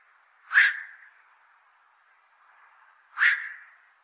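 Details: Two gruff, explosive croaks from a black-crowned night heron, spaced roughly two and a half seconds apart, each call sharp at onset and fading quickly, with near silence between.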